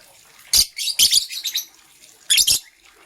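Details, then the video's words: Green and blue lovebirds in the morning: three harsh, high, scratchy chirp bursts, the middle one a short stuttering chatter, separated by brief quiet gaps. "Green LoveBird Chirping Sound"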